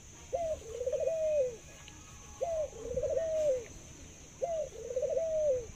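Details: Three evenly spaced zebra dove coos, roughly every two seconds, from a bird praised for its laughing, long-lasting voice; each phrase has a short upward note, fast bubbly trill and sustained descending finish, over quiet hiss.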